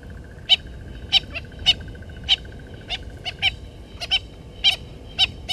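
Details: Natal spurfowl family at Gowrie dam waterhole, Djuma Game Reserve, Sabi Sand, South Africa, giving sharp, harsh notes about two a second at uneven spacing, over a faint steady high trill in the background.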